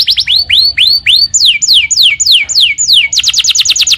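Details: Canary song used as a masteran for training other birds: series of rising then falling slurred whistles repeated about three times a second, ending in a fast chipping trill.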